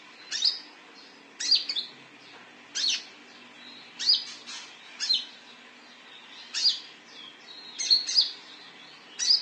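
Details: Olive-backed sunbird, locally konin, calling as bait to make birds respond: thin, high, sharp chirps about every second, some in quick doubles and triples.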